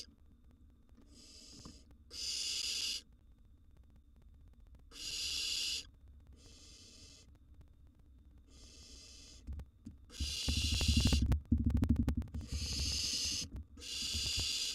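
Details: Rasping breathy screeches, each about a second long, come in irregular bursts from wild barn owl nestlings inside a nest box at feeding time. Heavy bumping and scuffling grows loud midway as a second nestling eats a large gerbil.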